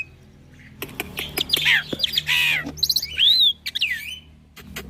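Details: Young black-winged myna in a full-fill training song, mixing quick clicks, harsh rasping notes and a clear rising whistle that bends downward, over a steady low hum.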